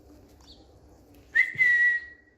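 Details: A pet Indian green ringneck parrot on a bed gives one long, steady whistle after a quiet start, opening with a brief rising slur and a soft thump.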